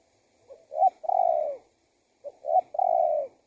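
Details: Spotted dove cooing, played to attract wild doves: two clean phrases, each a soft quick note or two before a drawn-out, slightly descending coo, about two seconds apart on a quiet background.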